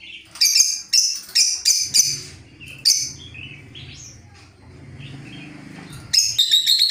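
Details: Lovebirds calling back and forth, used as a lure: a quick burst of harsh, high chirps, a short lull with low hum, then a rapid shrill chattering trill at the end.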